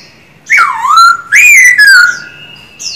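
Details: Clear whistled phrase from a caged, singing-trained male silver-eared laughingthrush: a note sweeping down and up, then a longer rising-falling whistle gliding down to a held tone.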